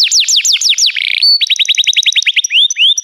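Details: Canary training song with repeated falling sweeps, a brief rattling phrase and thin whistle, then a quick series of upward-curving notes slowing toward the end.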